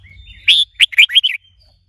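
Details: Short phrase from a red-whiskered bulbul in song training, a female stimulating the male: a bright whistle followed by four quick, rolling warbled notes.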